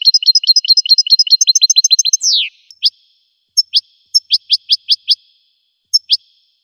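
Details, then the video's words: Goldfinch song made of rapid high twittering notes. A downward slurred squeal ends the run, followed by scattered single and paired chirps spaced about half a second apart. The background is silent. "Golden-feathered Goldfinch singing show"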